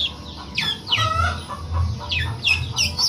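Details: Long-tailed shrike imitating a cat: drawn-out notes that slide steeply downward like mewing, coming in pairs with short gaps between them, over a low background hum.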